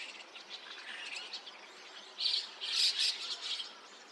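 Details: Flock of white-cheeked starlings mixed with chestnut-cheeked starlings at 5 a.m. on 29 June 2026 in Takata-cho, Rikuzentakata, Japan; dense high chattering and squeaky chirps, swelling into louder bursts late in the clip.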